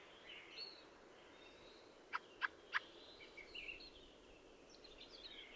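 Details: Fieldfare, a thrush of northern European woodland and scrub; three sharp, harsh chack notes in quick succession mid-clip, with faint thin calls of other birds in the distance.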